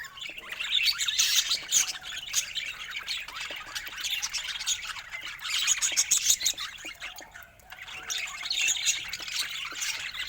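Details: Budgerigars chatter almost continuously in fast, high, scratchy chirps that rise into louder bursts and then briefly ease off.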